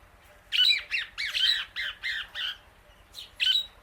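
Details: Female Indian ringneck parakeet outdoors eating grass among many birds; a run of about seven harsh, raspy squawks in quick succession, a short pause, then two more loud grating notes.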